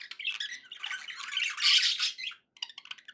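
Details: Unbroken, dense budgie chatter from pet birds swells to a loud scratchy peak, then breaks off into a brief pause and a few quick clicking chirps.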